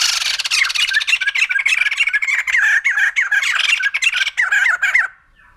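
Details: Continuous raucous chattering of a white-crested laughingthrush, dense harsh rapid notes with bouncing whistles woven through, lasting about five seconds before stopping abruptly.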